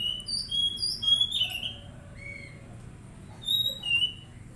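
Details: Untrained kept Oriental magpie-robin, recorded to encourage quick singing, gives a run of short clear whistles and slurred notes, then a pause and a second brief whistled phrase against a low steady hum.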